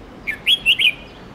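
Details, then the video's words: Red-whiskered bulbul tutor song meant for young white-cheeked bulbuls learning to sing; a short burst of four clear whistles, the last three loud and warbled, with faint steady hiss behind. "Luyện chào mào Hót Nhiều Giọng âm 7-8-9-10 cực dài/Ép chào mào non,má trắng học giọng hiệu quả"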